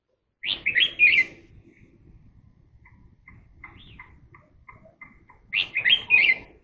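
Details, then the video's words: Red-whiskered bulbul singing rich warbled phrases at start and end, with a run of short, soft repeated ticking notes between them. "love the song of birds greeting crested"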